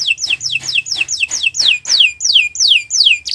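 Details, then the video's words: Canary singing a training master for other birds: a series of loud, evenly spaced descending whistles, about three per second, with a faint low hum beneath. "Kicau Burung Kenari 174 II LUAR BIASA GACOR PANJANG Cocok untuk Masteran"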